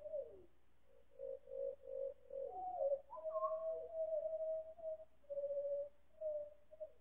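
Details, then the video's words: Four pied butcherbirds singing in chorus, heavily slowed, a chain of pulsing mellow whistled notes at a steady pitch broken by short upward slides and a brief higher overlapping voice. "4 Pied Butcherbirds singing in choir"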